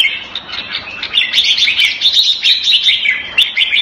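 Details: A caged red-whiskered bulbul in Singapore, raised Thai style, February 2018, sings a dense, rippling sequence of high chirps and warbled whistles in quick succession.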